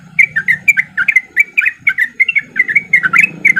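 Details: Sooty-headed bulbul, a male in breeding condition, giving lively 'ropel'-style song used as a lure to get reluctant bulbuls singing: a fast run of bubbly, chirping notes, about six per second, over a faint low hum.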